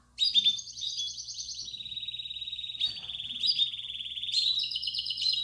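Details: Belgian canary 'campainha' song from a canary room, for training chicks to sing: long, steady, high rolling trills broken by brief upward flicks, sustained almost throughout, with a faint hum.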